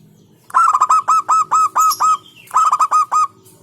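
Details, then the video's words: Local zebra dove singing a rhythmic 'hentakan' beat song: a staccato burst of about eight short, hollow, evenly spaced coos, then a pause and a shorter run of five notes. "Hentakan Burung Perkutut LOKAL Suaranya Berkelas"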